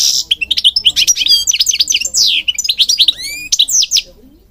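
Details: Singing goldfinch, a songbird breeding in Moroccan gardens and kept for training: dense, fast twittering with liquid trills, buzzy notes and a few long rising slurred whistles, ending abruptly.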